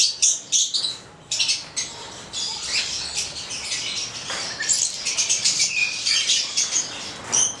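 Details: A pair of Stella's lorikeets, a red male and a black female (Charmosyna papou goliathina), give shrill, high chattering screeches and squeaks in quick overlapping bursts, with soft wing flutters through the busy chorus.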